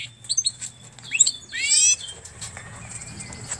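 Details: Canary crossed with European goldfinch giving a few high slurred notes and a brief descending rattle-like trill, followed by quieter background with a low hum.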